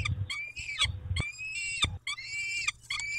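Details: Peregrine falcon calls at a feeding, 19 May 2021, 11:48: drawn-out, strained, rising and falling wails, several close together, mixed with low thuds and knocking.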